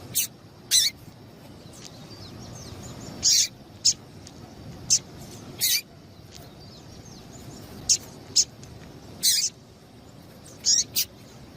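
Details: Female Double-collared Seedeater call, played to stimulate male seedeaters to sing quickly: sharp, high, dry chip notes given singly or in quick pairs at irregular gaps of one to two seconds, over a faint steady background hiss.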